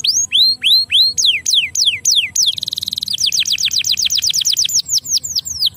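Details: Canary singing, played to stimulate lazy canaries to sing: clear whistled notes, first rising-then-falling sweeps, then a fast buzzy trill and a rapid run of descending slurred notes repeated several times per second, loud and clean.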